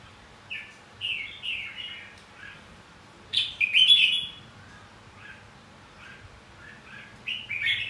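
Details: Red-whiskered bulbul fighting song for training other birds to sing: soft scattered whistles building to one loud, rich warbled phrase, then sparse quieter notes.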